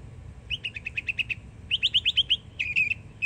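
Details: Yearling Northern mockingbird singing in Florida: two bursts of quick even repeated notes, about eight per second, followed by a buzzy chattering phrase.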